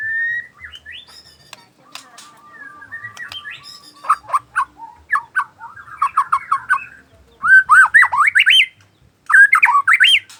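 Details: Afternoon song of a white-rumped shama: soft whistles and scattered clicks open into a rapid stuttering chatter of short notes, then loud bursts of swooping, zigzagging whistled phrases.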